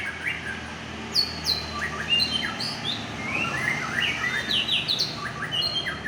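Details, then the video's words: Aceh white-rumped shama, kept as a fighter and on fire: crisp, high whistled notes and rising slurs in rapid, varied phrases, heard over a constant low rumble. "Murai Aceh - SMBF # Fighter sedang On fire"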